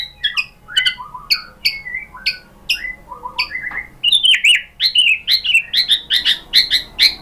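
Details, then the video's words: White-rumped shama singing a lure song intended to trigger another shama: quick series of sharp downslurred chips and whistles, repeated in clusters, growing denser and higher toward the end. "MURAI BATU jadi EMOSI NYAUT ikut BUNYI GACOR BONGKAR MATERI dengan PANCINGAN MURAI ini ¦ SHAMA BIRD"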